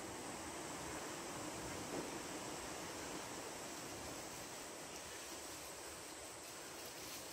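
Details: Even rushing noise like wind or surf fills the recording, with no animal voice.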